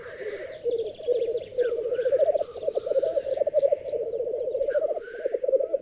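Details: ['Black grouse lek in the Berezinsky Biosphere Reserve, females gathered by one male; dense continuous bubbling rookoo with short hoarse hissing notes rising above it.']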